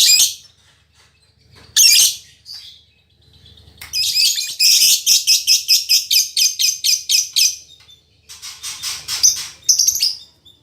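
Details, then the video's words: Female lovebird with a fighter temperament, singing as much as a male, used as tutor audio: two harsh bursts, then a shrill chatter of about fifteen evenly spaced buzzy pulses, ending in broken high notes. "Suara Burung Lovebird Betina Fighter"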